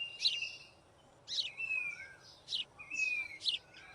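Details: White-throated fantail building its nest gives sharp, high chips, each trailed by a thin, slightly falling whistle, repeated about once a second over a quiet background.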